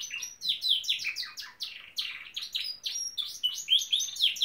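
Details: Norwich canary singing at home, loud continuous warbling of high chirps and downward-sweeping notes repeated about twice a second.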